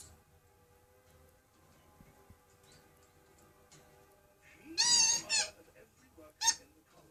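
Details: Pet African grey parrot in America, kept indoors: two loud, brief harmonic calls near the end, the first a rough burst of about half a second, the second a short sharp note, over faint background music and quiet room noise.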